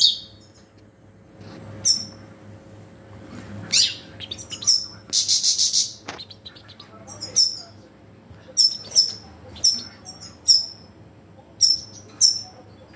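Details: European goldfinch giving bright, liquid twittering calls in short bursts with pauses, high-pitched notes scattered through the clip over a faint low hum.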